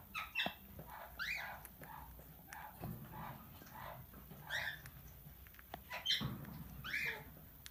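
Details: Talking, tamed plum-headed parakeet producing a steady series of short, harsh, rising-and-falling chirped syllables spaced roughly every half second to second, some louder and buzzier, over a faint low indoor rumble.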